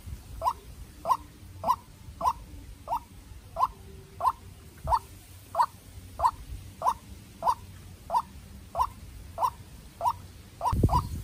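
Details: A young decoy White-breasted waterhen, raised in captivity, in a tense contest with a wild bird gives a long, steady run of about eighteen short, identical notes roughly every 0.6 seconds. Low noise runs underneath, with a brief louder thump at the end.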